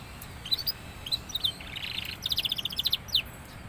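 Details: Young canary singing more and more: scattered sharp chirps, a short buzzy passage, then a quick series of bright repeated notes ending in a downward-sliding whistle.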